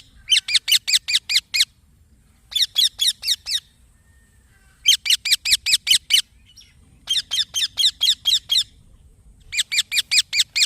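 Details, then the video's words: Green baby parrot chirping insistently in repeated bouts of five to seven harsh, high, downward-sliding notes, fast and even, broken by short pauses across the whole stretch. "Green Baby Parrot Chirping Sounds"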